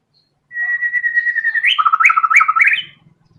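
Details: White-rumped shama in full song, a long level whistle followed by a rapid stuttering run of chattering notes and upward flicks, with a faint low hum at the end.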